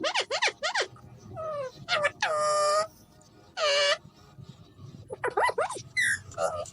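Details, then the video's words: A talking Alexandrine parakeet kept as a friend's pet, repeating "miyan mithu". Quick rising-falling squeaky notes come in runs, broken by two long raspy squawks. Music is faint behind it. "talking raw parrot || miyan mithu"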